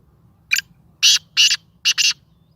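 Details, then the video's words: Sindhi black francolin, a tame captive bird, giving its first call: five short, harsh, buzzy notes in three bursts, a single note followed by two longer ones and a quick double, over a low steady hum. "Kala Teetar ki awaz / Black francolin voice کالا تیتر کی آواز"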